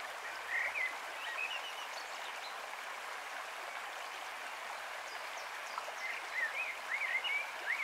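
A young white-throated dipper gives thin, high, twittering calls in two short bursts, half-buried under the steady rush of a fast stream.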